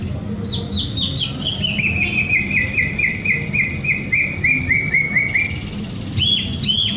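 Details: White-rumped shama from Indonesia singing while sunbathing: a long run of rapid, evenly repeated chirping notes that gradually drop in pitch, ending with a few sharp, loud whistled notes, over steady low background rumble.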